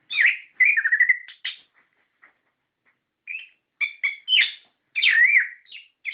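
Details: Orange-headed thrush song used as a lure to start captive birds singing in gacor style: a first run of rich, wavering whistles and trills, a quiet gap of nearly two seconds, then more loud, swooping whistled phrases.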